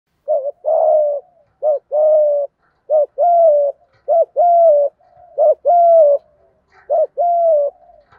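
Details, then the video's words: Spotted dove cooing in the 'giọng thổ' style, used to stimulate doves kept for training, with male and female calls included: low mellow phrases of a short clipped note and a longer rounded coo, repeated about every 1.3 seconds. "chim cu gáy thúc gù giọng thổ"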